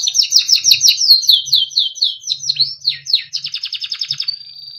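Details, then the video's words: Beautiful melodic Timbrado canary song for training: fast repeated falling notes, downward swoops, a rapid pulsing trill and a final thin steady whistle. "Timbrado canary singing beautiful melodic songs for training"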